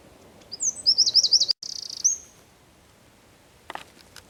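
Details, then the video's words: Eurasian wren singing in Zamudio's San Miguel de Daño neighbourhood on 4 December 2019; a brief high trill of quick zigzag notes breaks off abruptly, followed by a buzzy fragment and a drawn-out thin note, then faint distant chips. "TXEPETXA KANTUAN"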